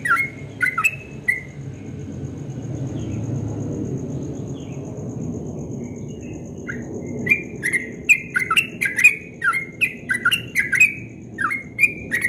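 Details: Yellow-vented bulbul singing at dawn, giving quick bursts of bubbly, liquid chirps, a pause, then a longer rapid run, with a low rumble in the background and a faint high steady whine.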